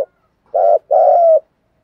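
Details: Deep-voiced spotted dove used as a decoy for wild doves gives a 'thúc gù' coo: a short throaty note, then a longer steady low coo trailing off, in otherwise silent surroundings.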